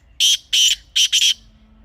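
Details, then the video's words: Harsh, ringing grey francolin call, offered as a hunting lure: four loud, scratchy notes in quick succession, the last two nearly joined, over a faint low hum. "تازہ تیتر کی اصلی آواز | Teetar Ki Real Voice 2026 | Best Teetar Calling Sound for Hunting"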